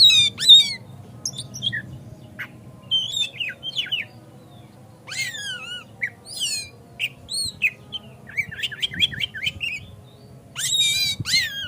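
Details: Kacer, the Oriental magpie-robin, in a lure recording used to push a kacer into persistent singing with an open tail: varied whistles, upslurs and scratchy trilled bursts in irregular phrases, with a faint low hum behind.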